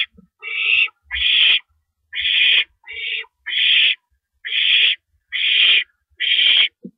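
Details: At a nest at 1:11 AM, April 6, 2012, an owl calls as the male arrives with a rabbit; eight raspy, breathy screeches spaced unevenly, alternating longer and shorter bursts.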